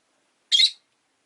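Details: One scratchy chirp lasting about a quarter second from a caged Rosy-faced lovebird vying for a place on the perch. Five birds kept beside a window during rain.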